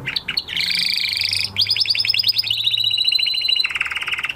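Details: Canary in song after moulting, continuous dense trills changing pitch through several sections, high buzzy rolls giving way to a lower rattling trill.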